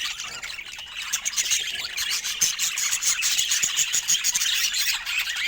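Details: Budgies twitter rapidly, with sharp high chirps tumbling over each other several times a second amid steady scratchy chatter.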